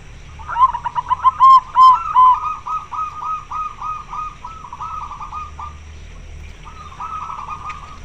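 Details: Loud-voiced local zebra dove calling to attract a male for mating: a run of clear whistled notes, then a long rapid series of rolling, trilled coos at steady pitch, pausing briefly before one more phrase.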